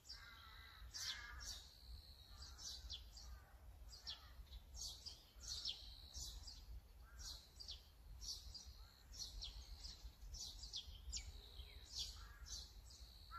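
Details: Azure-winged magpie, filmed on a Sony A9 camera, giving a long busy stream of clipped, scratchy chirps and occasional fuller rasping notes throughout thirteen seconds, with low background noise.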